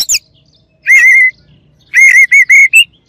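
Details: Oriental magpie-robin song meant to rouse a rival: a short sharp note, then loud, clear, level whistled phrases, a long one followed by four quick repeated whistles.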